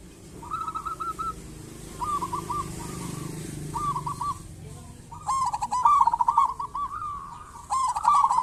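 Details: Local zebra dove, used to lure other zebra doves into calling, gives softer cooing phrases at first, then louder rapid rattling coos with a trilled ending over a faint low hum.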